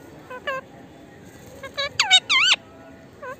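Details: Indian ringneck parakeet, a talking parrot, producing scattered soft nasal notes that build into a quick series of louder, wavering, speech-like syllables, then one last soft note after a pause.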